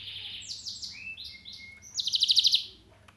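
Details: Young mozken, a canary crossed with a Mozambique, practising its song: high buzzy phrases, a falling slur into a flat thin whistle, then a loud quick pulsed trill repeated about eight times before fading; low background hum.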